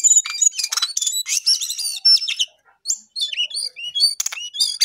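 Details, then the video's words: Lesser shortwing, known locally as jongkangan, pouring out a rapid chattering song of high chirps and whistles, broken by a short silence midway before resuming with slurred, twisting notes. "Jongkangan/Cingcoang coklat paling gacor"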